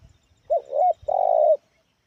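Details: Loud medium-pitched cooing from a spotted dove with an unusual head: a quick double note, then a long drawn-out steady coo lasting half a second, clean and close.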